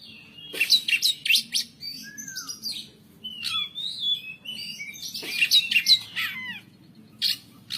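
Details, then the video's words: White-rumped shama singing in pletik style, a varied run of sharp clicking notes mixed with whistled slurs, some rising and some falling, delivered in two dense bursts with quieter phrases between. "Kacer bongkaran pletik pletik"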